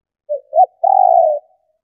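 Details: A female spotted dove coos to stimulate males: a short low note, a rising-falling coo, then one long rolling, trembling note that fades out, with a silent background.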